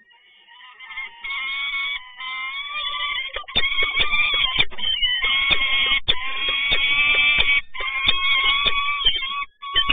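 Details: Peregrine falcon at a nest site, 7 May 2022, as the male brings another food delivery: drawn-out, nasal wailing cries, steady then wavering, with sharp knocks and thumps breaking in between.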